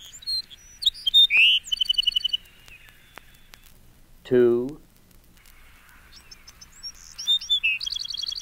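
Bewick's Wren singing high, bright phrases of sharp notes and a quick buzzy trill, in two bursts separated by a man briefly announcing a number.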